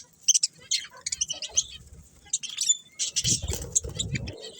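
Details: Budgerigars chirping: dense, high, scratchy chatter of quick twittering notes and squeaks, several birds overlapping, with low thumps and rustling near the end.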